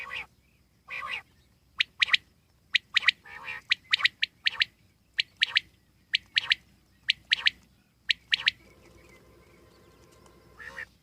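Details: Wild common quail: a series of short, sharp, high clipped notes in quick clusters, with a few lower nasal harmonic calls, about one burst per second, ending in a faint hum.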